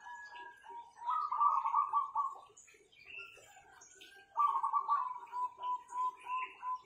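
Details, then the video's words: Kept zebra doves with strong voices deliver two long buzzy, rolling coo phrases, the second dissolving into a string of short, evenly spaced pulsed notes, with faint ticking and soft background chirps. "Perkutut-perkutut ini Power suaranya mantapnya bukan main"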